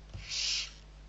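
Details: Barn owl owlets being fed, six young at Riet Vell reserve in the Ebro Delta, Spain, 21 November 2023; one harsh, hissing screech of about half a second over a steady low hum.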